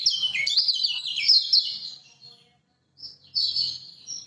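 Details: Lemon-bellied white-eye from Lombok, a master song used to lure silent birds into singing: a rapid, jumbled high twittering warble for about two and a half seconds, a pause, then a shorter burst of high chirps.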